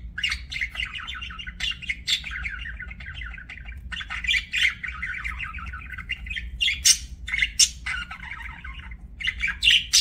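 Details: Lively budgie chirping: long scratchy warbled phrases punctuated by sharp, high squeaky notes, dense and busy throughout, with a low hum behind.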